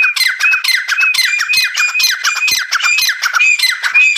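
A francolin gives harsh, grating, high squawks in rapid bursts about twice a second. The calls run on without pause and crowd into one another.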